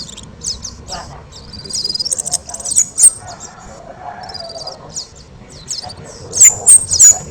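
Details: Kemade singing loudly as a training model for other songbirds, with scattered high thin whistles and short buzzy phrases, ending in three strong piercing whistled notes close together.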